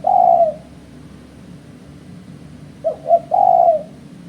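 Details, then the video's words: Spotted dove calling as a bird-trapping lure: the tail of a long coo, a two-second pause, then the full phrase of two short coos and a long, slightly falling final coo. "Suara Burung Terkuku"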